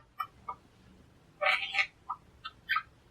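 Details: Pet monk parakeet, or quaker parrot, chattering: scattered short clipped chips, then a louder burst of harsh, grating notes in the middle, followed by further brief squeaks and a final rough call.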